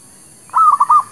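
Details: Single zebra dove cooing phrase played to lure birds: a brief rolling burst of three or four quick cooing notes.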